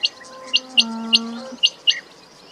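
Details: Quail giving short sharp chirps around six times over two and a half seconds, spaced irregularly, with a steady low hum running underneath through the middle.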